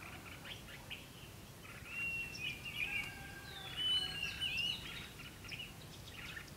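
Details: Red-whiskered bulbul at a fight-trap set with a decoy bird at Ba Thá, Vietnam: faint, short whistled and warbled phrases, clearest around two and four seconds in, over steady low background noise.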